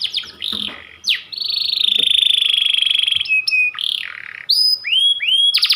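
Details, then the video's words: Pied 'panda' canary, described as a white canary, singing a persistent long-shooting song: loud rapid trills, a long buzzy rolled phrase, sharp rising and falling whistled notes, and clear upward-sweeping chirps. "Kicau Kenari panda ngotot nembak panjang"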